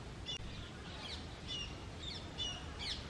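Indian grey hornbill giving thin, squeaky, high-pitched notes with quick up-and-down slurs, repeated roughly twice a second over a steady low rumble of background noise.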